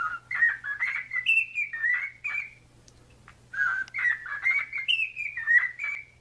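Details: A pet male cockatiel sings in the morning after waking, a phrase of bright whistled notes rising and falling, then repeats it after a pause.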